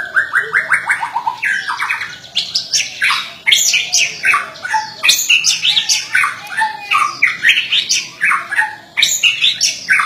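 A white-rumped shama opens with a quick falling run of clear whistles, then pours out rich, varied phrases of sweet high notes and sharp chatters without pause.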